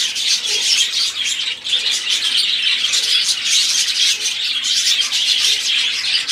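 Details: Multiple budgerigars in song, a lively mix of chirping, warbled twitters and occasional squawks, continuous and dense, briefly softer near the start.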